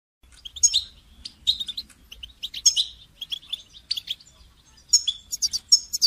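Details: Goldfinch song used for training songbirds: rapid twittering phrases of high tinkling notes and buzzy trills, delivered in bursts with short pauses between them.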